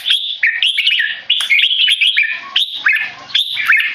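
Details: Under stress from human disturbance, a tame male red-whiskered bulbul raised in Singapore gives clear keke calls: quick bursts of grating notes, stepping up and down, almost without pause.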